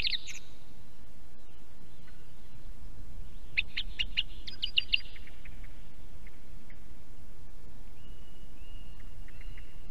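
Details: Song thrush singing near an osprey nest camera in Estonia: a burst of short, clipped high notes in quick succession, then a few thin drawn-out whistles, over steady low rumble from the site.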